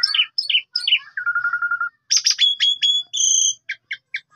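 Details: Asian pied starling singing in a lure recording meant to get other birds going: three quick paired whistled notes, a low steady buzzy trill, then bright harsh bursts and a held whistle followed by short repeated chips.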